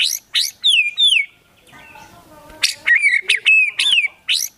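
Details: White-rumped shama singing vigorously, its song packed with mimicked phrases including Sooty-headed Bulbul calls. Loud bright bursts and slurred descending whistles, a brief pause with faint background clatter, then rapid sharp notes and swooping whistles resume.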